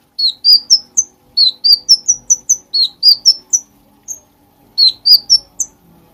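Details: Light-vented bulbul singing for songbird training: fast phrases of high, sweet whistled notes climbing in pitch, broken by short silences, with a lone note before the final phrase.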